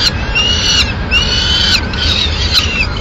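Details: Peregrine falcon at its Madrid nest on 6 May 2016 as the female delivers a pigeon; three sustained, harsh, even-pitched wails, each under a second, with city rumble beneath.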